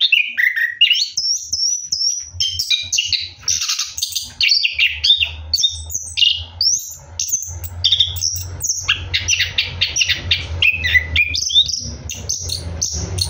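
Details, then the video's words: Orange-headed thrush singing while bathing at night, a loud rolling run of varied high whistles, trills and buzzy phrases pouring out almost continuously, with low splashing rumble beneath. "KICAU ANIS KEMBANG NGEROLL MANDI MALAM"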